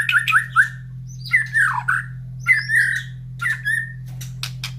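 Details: White-rumped shama in its cage, fed in the morning and set near other birds' breeding cages: separate bursts of swooping whistles and rough squawky notes with pauses between, ending in dry ticks, steady low hum behind.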